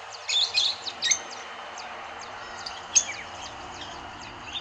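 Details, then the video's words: Rosy-faced lovebirds feeding in Kyalami, Midrand, Johannesburg, likely descended from aviary escapees; a quick burst of shrill squeaky chirps opens, then quieter scattered high notes and one sharp call near the middle. "Rosy Faced Lovebirds feeding"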